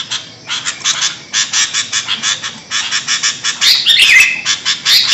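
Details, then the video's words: Sooty-headed bulbuls chattering noisily in a recording used to lure birds; rapid scratchy notes repeat steadily, joined near the end by brief bright whistled phrases. "Suara burung kutilang ribut buat mikat"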